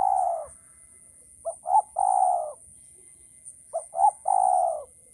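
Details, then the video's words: Male spotted dove giving its training coo twice: a long low coo, then two quick rising notes running into another long, slightly falling coo. A faint constant high hum runs throughout. "suara burung tekukur ajaran"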